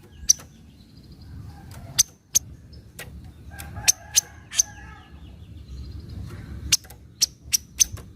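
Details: Lure recording of a Javan kingfisher's 'nyecret' call: loud, clipped chips in small groups separated by short pauses, with faint tonal notes from another bird and low background rumble.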